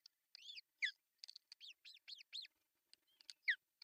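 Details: Ospreys at a Finnish nest, June 10, 2024, male delivering a big fish for breakfast; a quick run of high, arched whistled chirps, several in a row, ending in a loud downslurred squeal.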